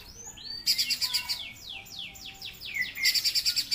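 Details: Streaked spiderhunter giving a quick run of piercing chip notes, then a string of sweeping downslurred whistles, and another fast chip series to close.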